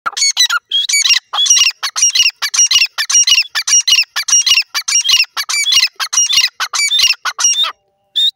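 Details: Jungle francolin, known locally as teetar, giving a fast run of harsh, scratchy notes that repeat nearly twice a second for about seven and a half seconds, then stop before one last short note.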